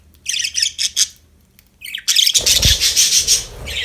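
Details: Happy budgerigars chirping: dense, scratchy warbling chatter in quick bursts, a few short notes first, then a continuous busy stretch of mixed chirps and squeaks with a low thump in the middle.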